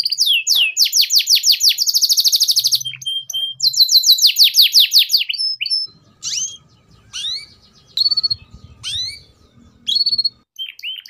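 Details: Canary tutor song in the ngeriwik style, played so young canaries learn it: rapid trills of repeated downslurred notes for several seconds, then a pause and scattered sharp rising chirps over a faint low rumble.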